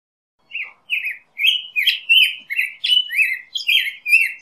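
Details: Black-headed grosbeak singing a lively, uneven sequence of about ten rich whistled phrases that swoop up and down, nothing else audible.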